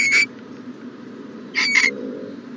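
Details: Owl at the nest box in the morning producing two brief, harsh hissing bursts, the second a doubled rasp, over a low continuous hum.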